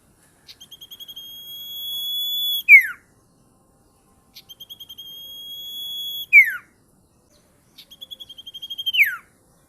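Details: Bar-winged prinia song, loud and sharp-voiced: a quickening series of short notes swells into a long high whistle that ends in a steep downward sweep. The phrase repeats three times with clean silent gaps.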